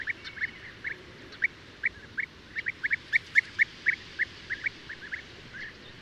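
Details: Several European bee-eaters (Merops apiaster) call together, giving short, rolling, liquid 'prruip' notes repeated several times a second over a soft background hiss.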